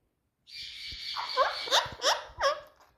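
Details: Indian ringneck parakeet, a talking bird, uttering a harsh sustained tone followed by four quick falling squawky notes about a third of a second apart.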